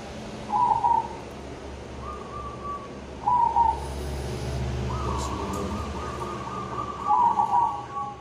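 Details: Local zebra dove singing. Short trilled coos alternate with longer, smoother drawn-out coos at a steady mid pitch, with a constant low hum and hiss underneath.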